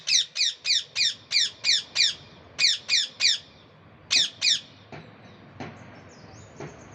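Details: Pet parrot, a talking bird, giving a run of harsh, high squawks in quick bursts, about three per second, pausing briefly then resuming, fading into a few faint clicks and soft indoor sounds.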